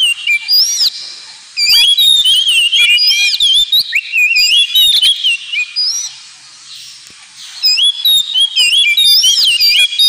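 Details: Kacer, the Oriental magpie-robin, in ngemplong singing used to train pet birds: bright whistled slurs and rapid chattering notes in dense bursts, a short quieter lull mid-way, then the varied phrases resume loudly.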